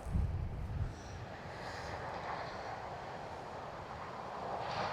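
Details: Whirring drone motor and wind rumble, with bumps near the start and no bird calls.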